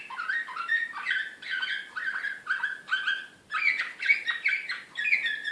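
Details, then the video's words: Belgrade slavujar canary of Serbian song style, recorded in 2016 and said to be excited, repeats tight clusters of chirping syllables roughly twice a second in a lively, energetic phrase. "SLAVUJAR SRPSKI"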